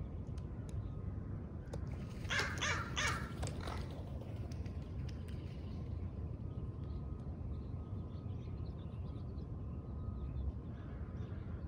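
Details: Crow from a family, a more confident father and a warier mother, visiting a camera on their shared turf, giving a quick series of about four harsh, rasping caws midway, then falling quiet over a steady low rumble and faint hum.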